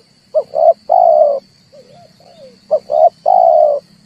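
Red turtle dove giving low, throaty coos: two short notes then a longer drawn-out one, phrase repeated twice, over a faint steady high whine and low hum.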